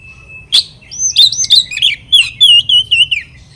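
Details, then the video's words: Oriental magpie-robin singing to provoke rivals: a thin steady whistle, a sharp click, then a rapid run of sweet slurred whistles and clipped notes, about three per second, over a quiet hum. "PANCINGAN KACER BIKIN LAWAN EMOSI"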